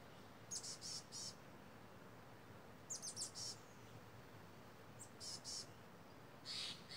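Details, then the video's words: Loud crows calling from redwood trees in misty mountain country while a hawk sat close by; clipped, raspy caws in tight groups of two to four, separated by gaps of soft wind. "Noisy Crows"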